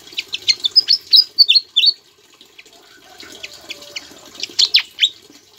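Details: Javan flycatcher singing energetically with borrowed Ciblek phrases, kept as a tutor for other birds: fast chain of high chips and swooping whistles for two seconds, pause, then scattered sharp downstrokes.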